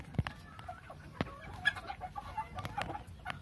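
A Golden Laced Polish chicken gives soft, murmured clucks and short nasal notes at an uneven pace, broken by a couple of sharp knocks and handling sounds.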